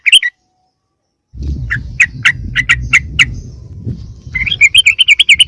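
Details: Lure call of the sooty-headed bulbul meant to attract wild birds of its kind: a brief chirp, silence, then evenly spaced sharp notes over a low rumble, ending in a quick bubbling run.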